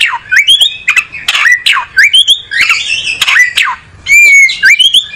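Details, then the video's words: Oriental magpie-robin (kacer), a songbird, singing a loud varied song: whistled notes sliding down and up, buzzy squawks and sharp clicks in quick, irregular bursts, strong and clipped at times, in a small room. "Burung Kacer nyari posisi enak"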